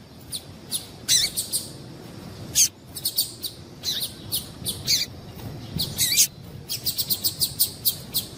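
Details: Female double-collared seedeater call, used to get males singing: short high chirps in irregular bursts, some in quick runs of four to six, with a few longer buzzy downslurred notes.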